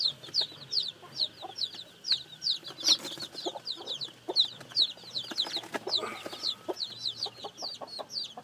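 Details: Newly hatched chicks peeping busily, thin high downward cheeps coming several per second from many birds, with crisp clicks and soft knocks underneath.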